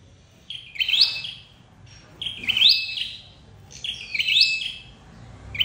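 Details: Flowerpecker calls used as a trapping lure: three bursts of clear, high notes, each a level tone followed by a quick upward sweep, about two seconds apart, over a quiet background.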